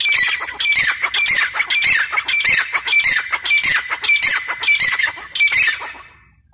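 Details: Grey francolin, described as female, giving harsh, squawking notes about 0.6 seconds apart. Each note is a bright, rasping burst with a strong ringing tone, and the phrases come in a loud, steady rhythm in an open outdoor setting.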